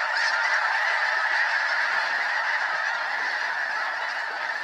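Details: Over 200 Snow Geese circling in flight above Limestone Bay at Wheeler National Wildlife Refuge, North Alabama, before landing on the water; a dense, continuous wash of overlapping honking calls with no gaps.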